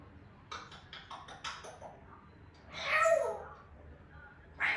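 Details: A Grey parrot's natural calls, meant to stimulate other African greys: a quick run of short clicky, chattering notes, then a loud harsh squawk with a whistled edge, and another rasping call at the end.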